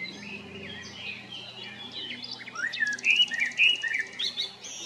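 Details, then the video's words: Male common blackbird from Jarun or Prečko in Zagreb, Croatia, spring 2022: soft varied warbling, then louder mellow whistles, with a brief high buzzy rattle from another bird mid-way. "Kos, mužjak (Turdus merula) (Birds of Croatia - Blackbird, male)"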